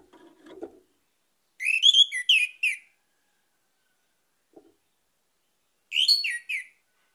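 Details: Orange-headed thrush song for luring other birds to sing: two separate bursts of quick, rich whistled notes, each about a second long, with faint low tapping sounds before and between.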